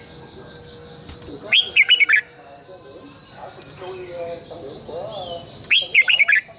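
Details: Red-whiskered bulbul morning song, long twisted double voice, played to train caged birds: two lively phrases of loud, warbled whistles roughly four seconds apart, with faint calls and a constant high hum between.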